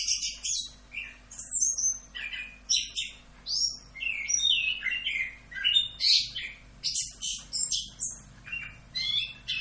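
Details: Orange-headed thrush giving a continuous "Rock'n Roll" tutor song, a rapid jumble of high twittering notes, slurred whistles and short trills without a real break.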